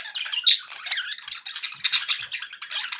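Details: Pet budgerigars making happy sounds: a busy stream of scratchy, squeaky chirps and warbles, with dense overlapping notes and brief sharp squeaks throughout, no other sounds heard.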